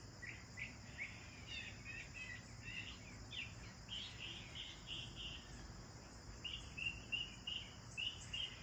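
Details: Sparrows at their bath chatter in quick chirps, several birds overlapping in bursts of short notes, the later ones brighter and clearer, with a continuous high hum behind.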